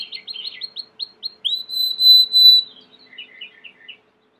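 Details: Belgian canary singing a string of quick chirped notes, then a clear, sustained whistled tone lasting about a second, and finally a few soft, spaced chirps before falling silent.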